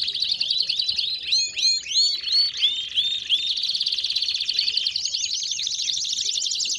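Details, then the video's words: Belgian canary singing: high, rapid warbled song with quick runs of looping slurred notes, several repeated in short series, flowing into a continuous buzzy trill toward the end. "CANÁRIOS DO REINO CANTANDO!!! BELGIAN CANARY SINGING!!!"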